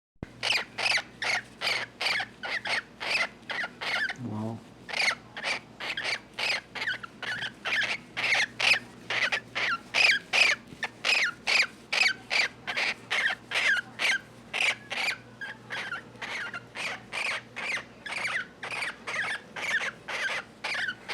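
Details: A female cockatiel gives a steady run of harsh, scratchy squawks, about two or three each second, while being caressed and given a back scratch.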